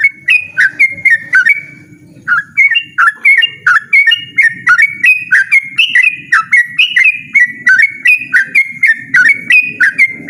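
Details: Persistent, loud 'ropel' singing from a yellow-vented bulbul. It opens with a few whistles, pauses briefly, then runs into a long fast series of sharp, bouncing whistled notes. A low murmur sounds in the background.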